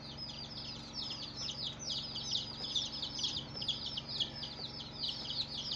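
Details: Quieter chorus of many colourful baby chicks, with high falling chirps blending into a continuous peeping over a low electrical hum.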